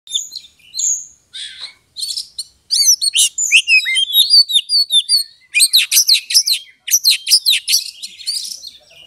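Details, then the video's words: Oriental magpie-robin (kacer) singing a fighting-style song, used to provoke a rival's aggression and build emotion slowly toward a fight; rich, varied high whistles and rapid chattering phrases, sparse at first, then dense bursts repeated roughly every second. "pancingan kacer EMOSI NAIK PELAN - PELAN"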